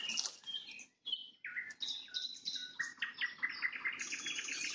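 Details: Sunset nightingale trills: varied whistled phrases broken by a short pause, then a fast series of clipped, repeated notes that speeds along near the end, each figure bright and distinct.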